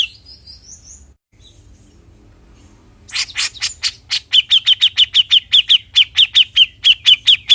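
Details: Bearded bulbul (cucak jenggot) song used to spur other birds to sing: after a quiet start, loud broad chirps, then a fast run of bright repeated notes, about one and a half per second, steady in pitch.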